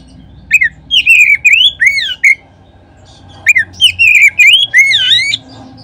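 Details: Kacer (Oriental magpie-robin) lure song, meant to excite other birds into singing. Two phrases of loud swooping whistles with sharp high ticks, split by about a second of quiet over a low hum.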